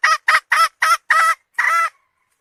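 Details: Five short, harsh squawks from a hen in quick series, then a longer, drawn-out final note, in a quiet recording.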